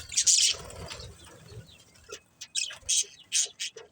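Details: Budgerigars giving short, sharp high chirps, a loud cluster at the start, then a quiet gap and a run of separate chirps about every third of a second.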